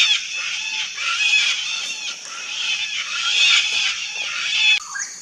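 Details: Several wild Sulphur-crested cockatoos in a colony screech harshly and nonstop, rough noisy cries layered over one another and growing louder toward the end before a sudden drop.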